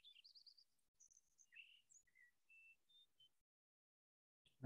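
Lincoln's Sparrow song: a rapid jumble of bright chirping trills that shift up and down in pitch over about three seconds, ending in a loud thump.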